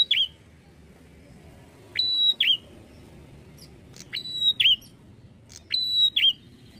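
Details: Bar-winged prinia song of loud, piercing phrases: a snap, a flat sustained whistle, then a downward curl. Four phrases are delivered at irregular spacing, with soft low background noise throughout.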